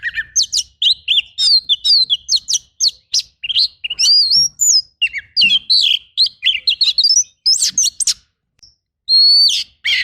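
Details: Oriental magpie-robin in a rough, dense fill-in song used as training material for other birds: rapid, varied whistled phrases, sharp rising and falling notes and buzzy rolls packed closely together, with brief pauses near the end.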